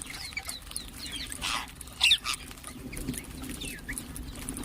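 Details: A ring-necked parakeet gives one loud, shrill squawk amid softer chirps from other birds, with a steady low hum throughout.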